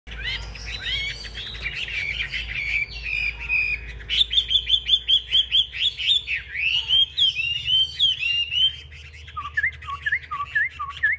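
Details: A captive Chinese hwamei, a large fighting-type bird, sings a loud, rich, varied song of fast whistled trills and rapid repeated notes, ending in a series of sharp rising whistles.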